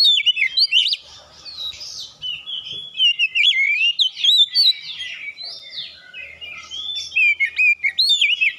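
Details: Oriental magpie-robin singing as a lure to get other birds singing: rich, continuous whistles mixing slurred notes, rapid trills and harsh chatter, loud and varied throughout.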